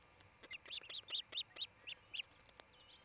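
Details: {'caption': 'Nesting osprey pair in Charlo, Montana, captured by a nest cam on 27 June 2018 late morning; a rapid burst of about nine piercing, upslurred whistled cheeps, evenly spaced, then a faint distant twitter.'}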